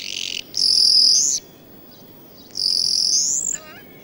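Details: Migrant common starling, already settled with its nest finished, displaying and singing on a sunny spring day; long, loud, very high hissing bands, then a rising whistle ending in a short harmonic slur, with quiet gaps between phrases.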